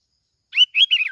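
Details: Plain-backed sparrow from Bình Thuận, Vietnam, recorded for luring, giving a short, loud phrase of two or three slurred, whistled chirps.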